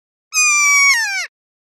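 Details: A kea gives a single loud, harsh screech lasting about a second, steady then dropping slightly at the end, like a shouted 'kee-aa'. This is the contact call kea use across the valley to announce their presence.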